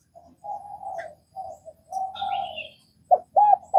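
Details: Vietnamese spotted dove heard as soft, level, drawn-out hums. A faint higher twitter joins them, and sharper arched coo notes start near the end.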